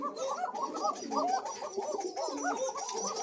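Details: Koka pigeons of a thin-voiced strain calling on a breeding farm, a pair with chicks: dense overlapping cooing, rolling notes repeated without pause, several birds audible together indoors.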